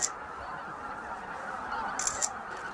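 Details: Greater white-fronted geese gathering at their evening roost on Miyajima-numa marsh in Bibai, Hokkaido, 11 April 2016, around 15,000 birds between 18:00 and 18:30. Distant, steady wall of high, overlapping yelping calls from the huge flock.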